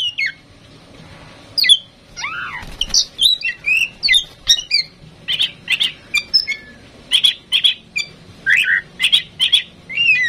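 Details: Tame, chatty female oriental magpie-robin, kept to prompt other birds to sing, delivers a varied song of sharp upslurred and downslurred whistles, a long descending slur and rapid clipped notes, repeated in quick bursts.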